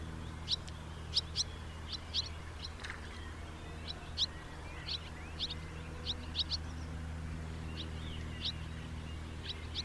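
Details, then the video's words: A house martin gives many short, high, sharp chirps through ten seconds, often in pairs or small clusters with uneven pauses, over a continuous low hum. "SOUND OF A HOUSE MARTIN 🔊 What does a house martin sound"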